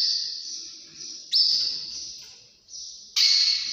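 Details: Canary song in the early morning, as continuous high rolling trills with sudden louder phrases and a sharp rising note midway.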